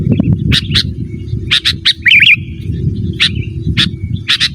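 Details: Sooty-headed bulbul singing actively to call a rival: spaced double chirps and a single rolling warbled phrase, over a continuous deep rumble.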